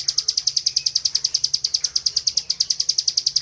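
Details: High, sharp repeated chips from a bar-winged prinia singing in the rapid 'ngebren' style used for tutoring other birds, delivered in an unbroken even rhythm of about three to four notes per second.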